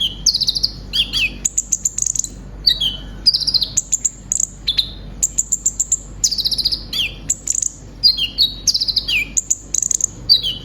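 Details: Song of a kept brown-throated sunbird for therapy of other cage birds: continuous stream of very high trills, buzzy rattles and falling whistled slurs, tightly packed with few gaps.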